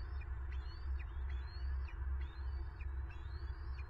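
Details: Nest-cam recording of bald eagles in Southwest Florida, 9 March 2023, as a female seizes prey: repeated high, thin piping notes with down-slurred ends, several per second, beneath strong low wind rumble.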